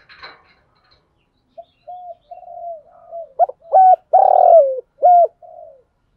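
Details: Decoy spotted dove cooing to stir other doves into cooing and coming to fight. Soft, low hollow coos build into louder, longer ringing coos near the end, with short upswept notes between them. A brief rustle opens the recording.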